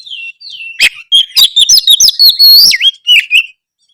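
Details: Oriental magpie-robin song used to prompt reluctant birds to respond: loud, clear whistled phrases sliding and warbling with sharp ticks between, quick varied notes over about three seconds, then silence.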